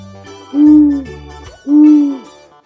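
An owl gives two low, steady hoots about a second apart, each slightly falling at the end, over soft background music.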